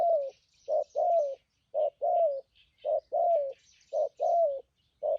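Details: Low mellow cooing from a wild-caught spotted dove kept as a trapping decoy, thúc gù and phóng rước style: short-long coo pairs at an even pace, the long note sliding downward, over faint distant bird chirps.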